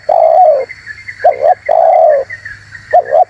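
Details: Spotted dove call for luring and provoking wild doves: two long mellow coos, each falling at the end and each preceded by a quick double note. A faint background hiss is present.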